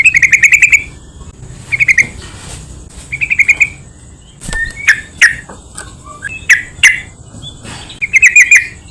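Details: Yellow-vented bulbul song used to lure and excite other bulbuls: rapid bubbly note bursts at the start and end, with scattered sharp chirps and clicks from other birds in between.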